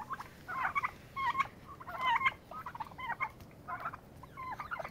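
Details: Turkeys fighting for dominance give a rapid run of wavering, yelping notes in quick clusters, about seven bursts in five seconds, with a background hiss.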